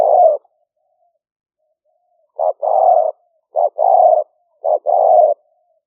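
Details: Spotted dove in the liu fueang calling style, taped live as a trapping lure in rainy-season paddy fields in Roi Et, Thailand, 2021; one coo, a pause, then three paired notes, short clipped coo and long soft cooing phrase.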